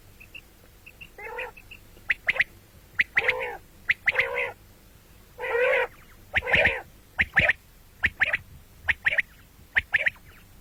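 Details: Common quail, calling morning and night: a few faint high pips, then alternating drawn-out nasal buzzy notes and crisp doubled clicks, roughly one figure every second.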